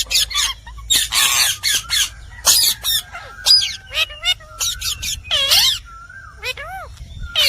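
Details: Indian parrot, or rose-ringed parakeet, talking: bursts of harsh, hissy screeches mixed with shorter tonal calls that bend down and up, some with a clear harmonic ring, in quick irregular succession with brief pauses.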